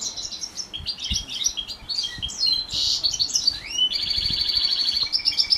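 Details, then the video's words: House finch x canary hybrid singing during morning training: a continuous high warbling song of rapid trills, chirps and upslurred whistles, shifting into a steady buzzy trill near the end; faint low thumps beneath. "Housefinch x Canary Hybrid"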